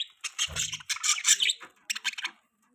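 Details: Pet budgerigars chirping in a short busy burst of harsh, buzzy chatter, then a brief pause and a second run of quick chirps that fades out near the end.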